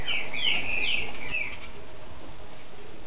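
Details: Captive green-winged saltator giving a quick run of clear, slurred whistles high in pitch, about four phrases in just over a second, then falling silent over low background hum.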